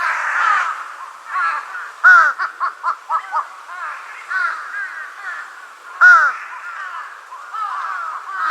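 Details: Relaxed juvenile large-billed crow with raised forehead feathers, uttering raspy caws: a quick series of five short clipped notes, then louder single caws and softer grumbling phrases between.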